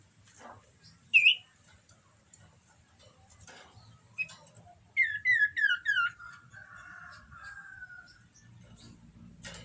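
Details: Common iora in breeding condition: an isolated high whistle, then a quick series of high, down-slurred whistled notes running into a softer, wavering lower trill, with faint clicks and low hum behind.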